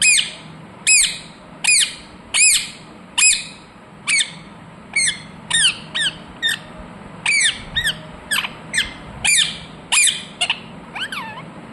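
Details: Ringneck parrot kept as a talking pet, heard in its natural voice. Long sequence of shrill, harsh screeches, some arched and some sharply falling, repeated irregularly every half second to second.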